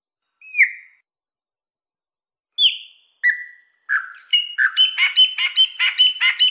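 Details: Mateiro Mineiro song of a wild chopi blackbird: isolated falling whistles separated by long gaps, building into a quick rhythmic string of sharp clicking notes near the end.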